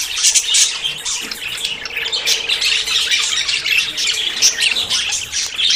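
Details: Several budgerigars in courtship before breeding, chattering together in a busy stream of twittering notes and sharp chirps, no clear gaps between the voices.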